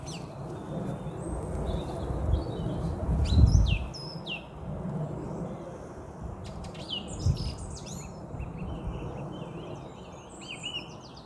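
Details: A Song Thrush sings in trees on a Sunday morning, 2 February, as if already spring: bright, high whistled phrases in two bursts, some notes repeated, over a steady low rumble of wind or distant traffic.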